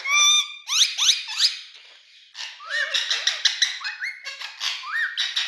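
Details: Parrot in India, a green parrot, giving a busy run of harsh squeaks and chattering calls with rising whistled notes and rapid upward sweeps, loud at the start then a steady stream of mid-pitched chatter.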